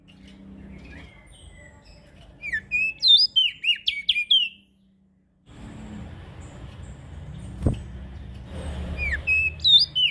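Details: Ashy prinia, played as a lure for small birds: a quick burst of high, sharply bent whistled chirps in the middle, with a hushed pause and low background rumble before and after.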